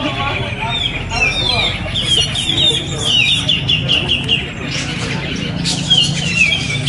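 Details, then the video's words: Black-crested bulbul, known as cucak jenggot, singing at a community songbird competition on 27 September 2020, where it won both sessions; a sustained high warbling stream of rapid notes amid crowd chatter and other birds. "cucak jenggot LONG tampil mewah dan berhasil menjuarai lomba"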